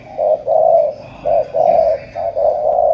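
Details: Spotted dove from Cà Mau giving a steady run of low, rolling coos, long notes broken by short pauses, with a faint background hum.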